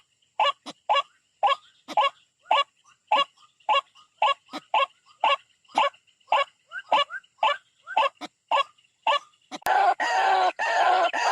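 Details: White-breasted waterhen attacking a rival, recorded for bird trapping: a long series of loud, nasal croaking notes at an even pace of about two per second, cut off near the end by a burst of rough noise.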